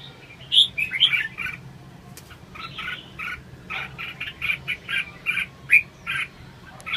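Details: Red-whiskered bulbul delivering a string of bright, fluty chirps and short warbles, roughly two per second, over a faint low background hum.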